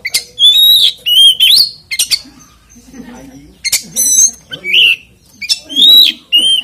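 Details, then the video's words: Oriental magpie-robin lure song in continuous 'ngeplay' style with no 'ngriwik' chatter, used to make other kacer sing; bright whistled phrases with upslurred ends, repeated in clusters, a soft murmur in the background. "PANCINGAN KACER NGEPLAY ANTI NGRIWIK DIJAMIN KACER LAIN IKUT GACOR"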